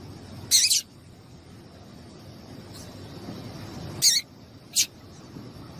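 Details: Female double-collared seedeater calling to get a male singing: three sharp, high, buzzy chips, one alone and two close together after a long pause, with a fainter note between them, against a quiet hiss.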